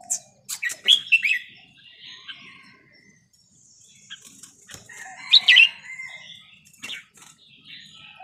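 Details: Red-whiskered bulbul of Vietnamese stock, a small bird aged over ten, singing note-counting style song: short clear whistled notes and quick slurred phrases in bursts, with clicks and a quiet gap mid-way.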